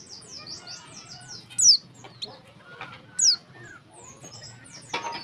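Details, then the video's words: Female warbling white-eye calling to lure males into singing: two loud, sharp, high downslurred chirps about 1.6 seconds apart over faint, continuous high twittering, with a final sharp note and a low background hum. "suara pleci betina untuk memancing bunyi jantan."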